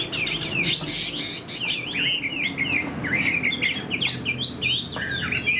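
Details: Fan-tailed Chinese hwamei in a cage pours out a continuous, varied warble of curling whistles and quick slides, loud and unbroken throughout.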